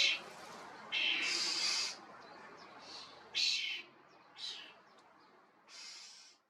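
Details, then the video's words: European starling, Sturnus vulgaris, calling loudly: a series of harsh, grating noisy bursts of varying length, some short and some near a second, fading in strength toward the end. "Common Starling calls are loud, (Sturnus vulgaris), European Starling sound Effect"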